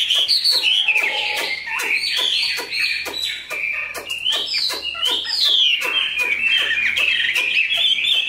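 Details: Chinese hwamei in a cage, tame with a large build, sings a fast jumble of bright whistled slurs and twittering notes, broken by frequent sharp clicks and taps.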